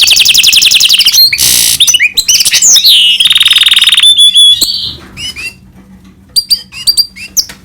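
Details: Hybrid of goldfinch and canary delivering fast trills and a buzzy rattling passage, then a held whistle, trailing off into scattered sharp chips.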